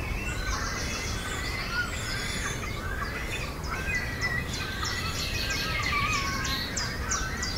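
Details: At a tree-nesting colony in the Naardermeer reserve, Netherlands, great cormorant chicks are fed regurgitated food by both parents. Many shrill, chirping, squealing calls overlap continuously over a constant low background rumble.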